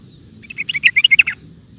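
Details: Sooty-headed bulbul giving a ropel-style phrase: a quick cascade of about eight clear, warbling, slurred notes packed into under a second over faint low background noise.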